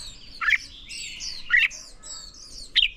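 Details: Red-whiskered bulbul in a training recording meant to rouse birds into fierce competition singing: three short, loud, warbled bursts about a second apart, with faint high whistles from other birds between them.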